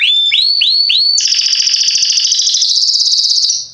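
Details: Belgian Salsa canary singing forcefully, a bird kept for teaching young canaries their song: four rising upslurred whistles, then a long rapid rolling trill lasting over two seconds and gently falling in pitch at the end.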